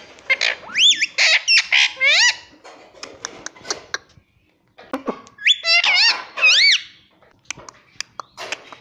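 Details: Talkative pet Indian ringneck parrot saying 'mummy' and 'papa': quick clusters of shrill, bending syllables, then a pause, then another burst of squeaky word-like notes with faint clicks.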